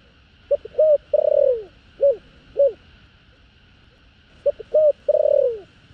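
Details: Spotted dove in the 'thổ đồng' field-voice style, calling to stir wild doves: quick soft notes, a long falling coo, then two separate short closing coos, the phrase heard twice, over a steady faint background hum.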